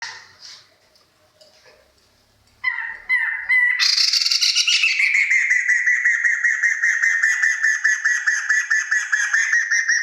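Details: Kriko Gayo, a rare bird from Central Aceh, after near silence bursts at about 2.6 seconds into a long, unbroken, rapid buzzy trill held near one pitch with bright overtones, pulsing steadily to the end.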